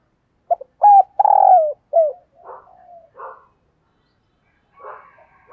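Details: Spotted dove decoy calling wild doves: a clear phrase of low, slightly hoarse coos, one long and falling, followed by softer, rougher coos trailing off and faint cooing again near the end.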